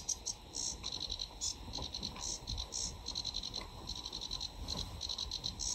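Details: Sedge warbler singing in full flow, a summer breeding visitor to the UK; dense bursts of high, scratchy chattering notes follow one another almost without pause over a low background rumble.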